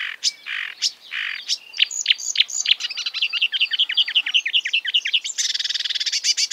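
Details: Mimicking marsh warbler, copier of European and African birds, mixes buzzy notes and a rattling chatter of quick chips, ending in a dense, fast buzzy trill.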